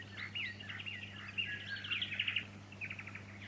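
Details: Fuscous honeyeater in Victoria, Australia, September 2019, giving a busy, high chattering stream of rapid twittering and slurred notes for over two seconds, ending in a softer burst of quick clicks, with a constant low hum beneath.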